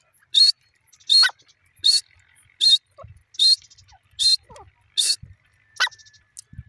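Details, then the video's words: Teetar, a francolin, calling: loud harsh broadband notes repeated steadily, about one every 0.7 seconds, with faint low knocks in between. "teter bird sound,teter ki awaz"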